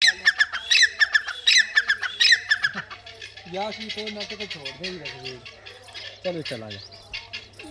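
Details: Francolin of the Dakhni teetar type, a hill-breed bird kept by its owner, giving a fast run of sharp, harsh, high calls about twice a second for three seconds, followed by a man talking.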